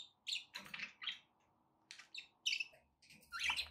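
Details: Pet budgerigars indoors utter short scratchy chirps and chattering notes in irregular bursts, with a quiet gap midway and a louder warble at the end.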